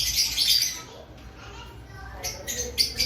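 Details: Lovebirds kept in an aviary before the breeding season, giving high, harsh chirps in two bursts, at the start and near the end, with a quiet gap between them.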